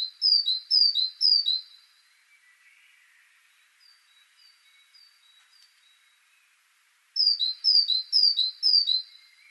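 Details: Great tit (Parus major) song in two bursts of clear, falling two-note phrases, about four repeats each, with faint thin notes in the quiet gap between.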